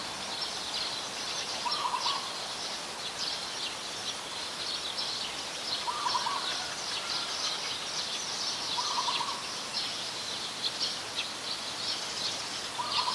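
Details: Coppersmith barbet in Ubon Ratchathani, Thailand, on 2 January 2021, where it is a very common resident: four brief throbbing low notes, each a quick cluster of pulses, recur every two to three seconds beneath a steady shrill buzzing drone.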